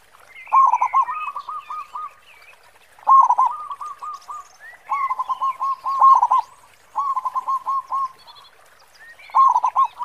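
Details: Local zebra dove, a lure bird with a big 'khong' voice: five loud phrases over ten seconds, each a rolled opening followed by rapid repeated coos, while other birds chirp faintly in the background.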